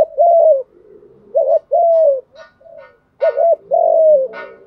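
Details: Spotted dove call for stimulating newly caught doves: two phrases, each a short doubled coo followed by a drawn-out, gently falling coo, separated by quiet low murmurs and faint chirps.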